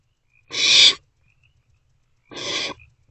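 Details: Owlets of barn owl in a nest box in the small hours of 27 March 2024, sharing a meal; two separate harsh hissing screeches nearly two seconds apart, the second softer.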